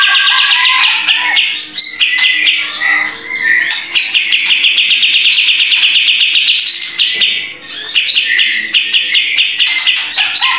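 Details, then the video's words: Sooty-headed bulbul (kapas tembak) singing loudly as a master recording for training cage birds: dense, nonstop run of bright whistled and chattering phrases, fast and overlapping, with only brief pauses. "kapas tembak gacor"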